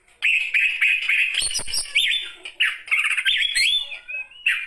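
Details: Song of an aged Oriental magpie-robin: loud warbled whistles interrupted by harsh rasping bursts, then upslurred whistled notes and a descending phrase, the bird singing energetically with short pauses.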